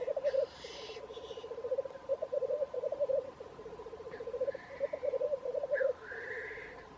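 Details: Black grouse at Wrexham: a continuous low, dove-like bubbling warble in repeated phrases, opened by a brief harsh hiss, with thin rising whistled calls from other birds overhead.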